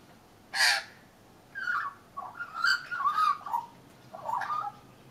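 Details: A young leucistic Australian magpie, perched on a railing at lunchtime, opens with one harsh rasp, then gives mellow, warbling flute-like phrases rising and falling over about four seconds; it later flew off at myna warning calls.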